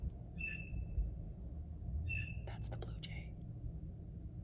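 A blue jay gives three or four harsh, nasal calls within a few seconds, with some clicking and rustling, a low outdoor rumble and a quiet voice.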